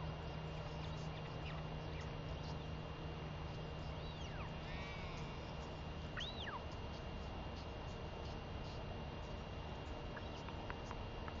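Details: Northern royal albatross chick calling while begging its mother for lunch, 23 May 2021. A few curved, whistled notes that rise and fall, one with a rough, layered edge, over continuous low-frequency background noise.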